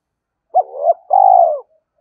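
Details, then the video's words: Decoy spotted dove giving one cooing phrase: a brief clipped coo, a rising murmur, then a drawn-out, mellow, descending coo lasting about half a second. "Chim Cu Mồi thúc và gáy gọi cực đỉnh, gáy gọi hai hậu"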